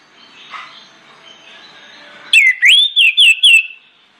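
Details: Orange-headed thrush song played as a lure to set other birds singing: after quiet chirping, a loud run of about five rising and falling whistled notes.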